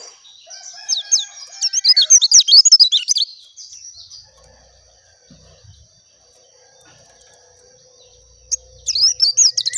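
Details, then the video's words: High-pitched chattering song of an oriental white-eye, pleci dakun: a dense run of quick, slurred twittering notes lasting about three seconds, a long quiet pause, then another burst of rapid warbling. "SUARA ASLI BURUNG PLECI DAKUN JERNIH"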